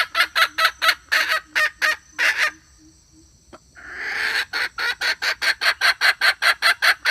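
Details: Red junglefowl hen call used to attract males: fast runs of harsh clucking notes, broken by a pause about a second long and a soft rushing noise, then resuming in a quicker, steady series.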